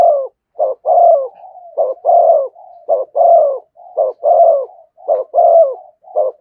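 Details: Spotted dove calling in the urging thúc gù cooing style near a decoy bird: low, mellow coos in short repeated phrases, a brief note followed by a longer rolling coo, about once per second, with no other sounds.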